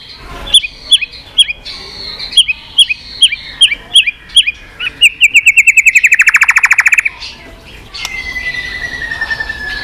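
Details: White-rumped shama in continuous 'tạch' mode, played to rouse a listless bird: spaced sharp chipping notes, then a very rapid rattling burst, followed by a long pure descending whistle.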